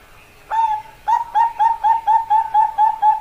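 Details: Zebra dove, Bangkok perkutut variety: a single opening coo, a brief pause, then about ten rapid, bubbly repeated notes at a steady pitch.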